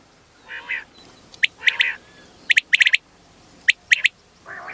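A female quail gives soft, nasal, slightly buzzy notes mixed with sharp, high, clicking notes in quick clusters of two to four.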